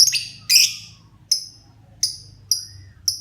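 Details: Pet lovebird, a child's beloved bird, beginning to sing actively: sharp, high, rasping chirps, two buzzy bursts followed by four clipped tweets spaced roughly half a second apart, with a faint low hum behind.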